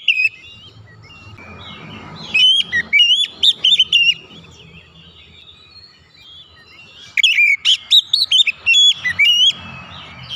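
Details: Song of an Oriental magpie-robin, played as therapy so stalled or stressed magpie-robins start singing: two lively runs of rising and falling whistles, each about two seconds long, with quiet low hum between them.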